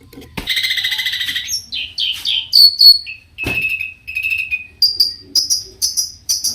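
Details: Long-tailed shrike, whose varied song stirs rival shrikes to respond, gives a grating rattle, then swooping whistles, level drawn-out whistles and a string of sharp high chirps.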